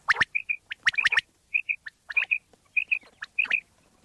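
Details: Common quail from Pakistan, a sound used to lure quail for hunting: quick clipped three-stroke phrases alternate with soft paired whistled notes, repeating about every half second.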